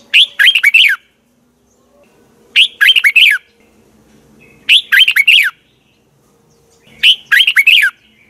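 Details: Morning training song of a red-whiskered bulbul recorded in 2020 in the double twisted voice style: four near-identical short phrases of quick up-and-down whistles, repeated every two to two and a half seconds.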